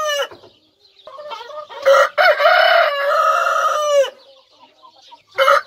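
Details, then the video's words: Rooster crowing: a short opening note, then a loud, harsh, harmonic-rich crow held about two seconds with a falling end, and the start of another crow at the close; quiet, soft sounds in between. "My rooster sings"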